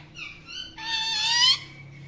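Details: Indian ringneck parakeet, described as naughty, giving a short harmonic call: a brief whistled note, then a loud, rising, rasping screech of under a second, indoors with a low steady hum behind.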